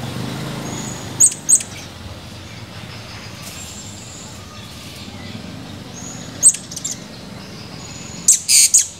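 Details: Male Blue-crowned hanging parrot recorded 17 July 2020, calling actively: sparse sharp, very high squeaky notes in pairs and a final quick cluster, separated by long pauses, against a steady low background rumble.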